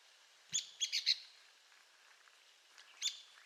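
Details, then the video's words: An Arizona woodpecker (Leuconotopicus arizonae) gives sharp, high calls: a single note, then a quick group of three, and one more after a two-second pause, over faint background hiss. "Arizona Woodpecker Bird Sound"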